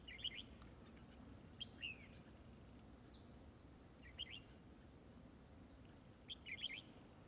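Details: Red-whiskered bulbul, a trapping session with a decoy bird, giving short bright phrases of whistled, warbling notes in bursts near 0, 1.7, 4.2 and 6.5 seconds over a steady low rural background hum.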